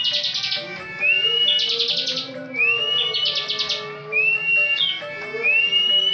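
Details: Caged bar-winged prinia singing gacor, full ngebren: high upslurred whistles each followed by a grainy, fast-pulsed trill, four phrases in quick succession over a faint low steady hum.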